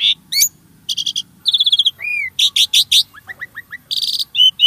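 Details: Starling singing, a recording used to encourage caged birds to sing: fast stuttering buzzy notes, a drawn whistle, then rapid rising chips and high trills, with a faint low hum beneath.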